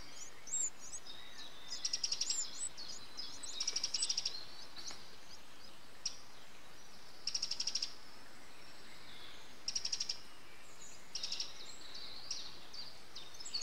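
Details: Eurasian wren adult feeding nestlings, 8 June 2013: short bursts of high, rapidly pulsed begging notes come roughly every two seconds, with scattered thin chirps over a steady background hiss.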